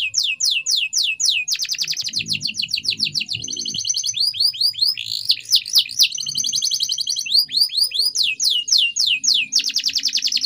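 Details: Canary training song with rapid falling whistled notes, dense buzzy trills and rolling tours that change every second or two, with faint low murmuring in the background.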